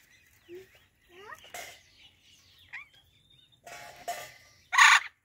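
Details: Talking Indian ringneck parrots greeting each other, soft rising whistled notes and squeaks, then buzzy raspy calls ending in a loud harsh screech.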